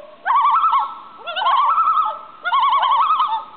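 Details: A pair of common loons with their chick calling: three quavering, wavering, mid-pitched laughing, yodel-like bursts, each about a second long, roughly one every 1.1 seconds.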